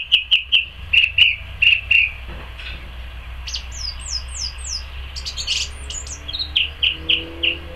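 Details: Song thrush singing in a garden on 12 May 2014: short sharp notes repeated in quick groups of two or three, then a run of varied whistled and squeaky phrases, with a low steady background hum throughout.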